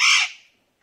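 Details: A pet ring-necked parrot gives one harsh, raspy screech that fades within a third of a second. A second squawk starts just as the sound cuts off.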